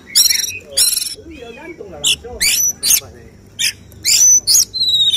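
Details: Oriental magpie-robin (kacer) singing its 'tembakan' shooting phrases at a songbird contest: loud harsh rattling bursts alternate with short piercing whistles and gaps, over a soft background murmur.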